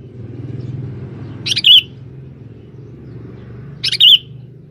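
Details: Male sooty-headed bulbul used as a lure in the forest to attract females for trapping: two short, bright chirped notes about two seconds apart, each a quick buzzy burst ending in a wavering whistle, over a steady low rumble.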